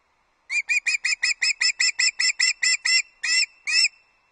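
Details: Osprey at Loch Arkaig, 31 August 2022, delivering early breakfast to the nest: a loud, steady string of about fourteen sharp, shrill whistled chirps, slowing slightly at the end.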